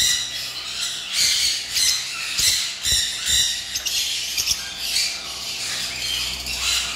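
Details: Lovebirds kept at a bird farm, a flock giving shrill, harsh squawks in bursts about every half second, overlapping into a noisy high chatter over a faint hum.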